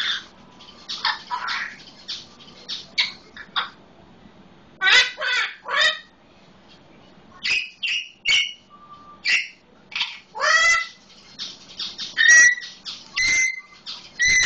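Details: Solomon Islands eclectus parrot mimicking a red-lored amazon, giving harsh squawks, honking calls and a few whistled notes in irregular bursts, with a faint low hum behind.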